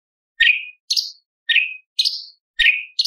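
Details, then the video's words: A light-vented bulbul repeats bright chirped pairs, a lower slurred note then a higher sharp one, about once a second, with no other sounds. "CUCAK CUNGKOK ISTIMEWA - TEMBAKAN ISTIMEWA ISIAN LOVBIRD PARKIT CIBLEK PANCAWARNA"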